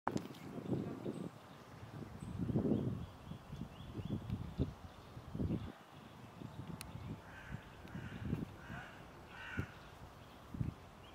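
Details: A hooded crow in Tivoli landscape park, Ljubljana, Slovenia, on 9 April 2024, gives a short series of harsh, rasping caws near the end, over steady low rumbling and thumping background noise.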